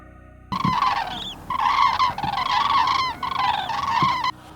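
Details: In late afternoon in Poland during the 2025 red deer rut, several Common Cranes call together with loud, rolling trumpeted bugles in overlapping bursts.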